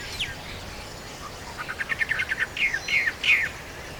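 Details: Rural bird chorus: quick series of short chirps accelerating into a trilling run, then a few bright slurred whistles, over constant outdoor background noise.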